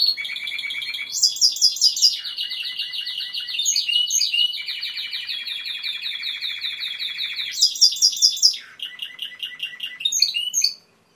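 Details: Long, continuous Timbrado canary song: dense rolling trills that shift between lower and higher pitches, with bright high buzzy sections, lasting about eleven seconds before stopping abruptly.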